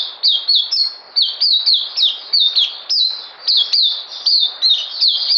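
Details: Puteh, or oriental white-eye, singing a brisk series of high, sharply down-slurred chirps, each note clipped and repeated in quick, uneven succession across a few seconds.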